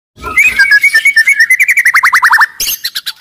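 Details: White-rumped shama, an aggressive, loud, lively caged songbird, used as a lure to make other shamas sing and fight; rapid repeated notes around mid-high pitch, ending in a burst of quick descending trills, followed by sharp high chips.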